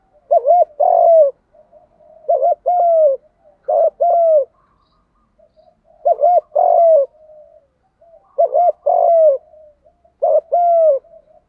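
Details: Spotted doves, male and female, cooing in Đồng style to prompt young male birds to sing; six repeated phrases of a quick doubled note followed by a drawn-out descending coo, spaced about two seconds apart, no other sounds.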